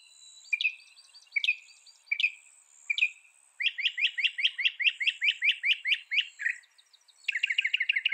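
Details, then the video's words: Northern mockingbird repeating a sharp chirped phrase four times, then switching to a fast, rattling series of buzzy notes. A brief pause follows before another rapid trill begins, over a constant faint high hiss. "Northern Mockingbird Bird Sound Bird Song"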